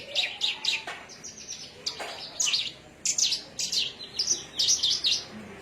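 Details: Javan myna song from Cilacap: busy, high-pitched chirps and clipped whistles in clusters of two to four, some notes rising sharply, continuing steadily throughout against a faint background hiss.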